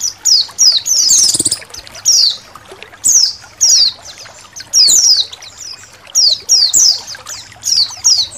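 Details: A flock of Indonesian white-eyes over a background of trickling water. Thin, descending chirps come in clustered bursts with irregular pauses, and a brief splashing noise sounds early on.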